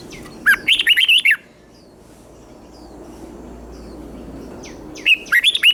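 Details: Red-whiskered bulbul kept in a cage in Thailand, singing the southern master style meant to stir up other bulbuls and train chicks: two rapid phrases of bright, bouncing whistled notes separated by a few quiet seconds.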